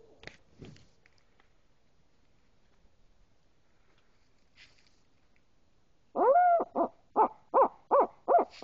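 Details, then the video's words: An owl gives a loud run of about seven quick, mid-pitched hoots, each rising then falling, after several seconds of near silence with faint clicks; the owls seem to be getting closer. "owl hoot"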